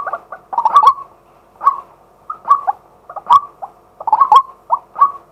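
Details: Daytime decoy calling from a male white-breasted waterhen, recorded live on a set camera: spaced, single and paired harsh croaks about once every second. The calls are sparser than a full chorus, with clicking transients.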